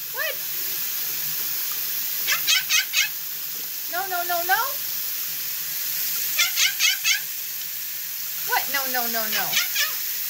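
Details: A pet male monk (Quaker) parakeet mimics "beep beep" in quick bursts of sharp, high beeps mixed with nasal, wavering squawks, with a person speaking and music.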